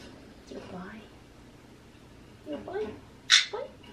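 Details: A rescued, human-imprinted male talking Magpie, watching himself on a computer monitor indoors, gives a few short, hoarse, speech-like phrases, then a sharp raspy burst, with quiet gaps.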